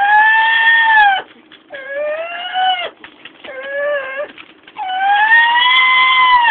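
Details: A female pet Amazon parrot gives four long, nasal, wailing tones, each over a second, bending slightly up or down like a siren or bleat, with brief pauses; she mimics sirens, brakes, dogs and monsters.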